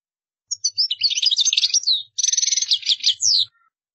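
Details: European goldfinch delivering a lively song phrase: quick liquid twitters leading into a fast, even trill and a few downslurred notes, clean with no background noise.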